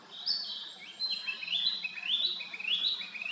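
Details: Narcissus flycatcher song: loud, bright whistled phrases with quick upward slurs and warbled notes, delivered in rapid succession over a low steady background.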